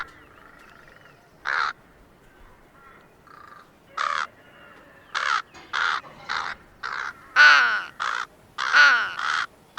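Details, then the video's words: Crow giving harsh, hoarse caws in irregular bursts, about eleven calls in total, some in quick pairs and others separated by quiet pauses of a second or two. "Как кричит и говорит ворона"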